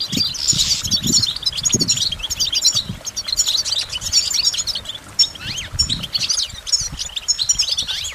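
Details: A goldfinch pours out rapid high twitters and liquid trills, with occasional downslurred notes, in near-continuous phrases with faint low knocks in the background.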